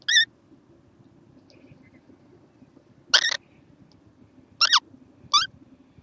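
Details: A young kookaburra, recorded 6 November 2014, gives five short, harsh, rasping squawks at uneven intervals over a low steady hum.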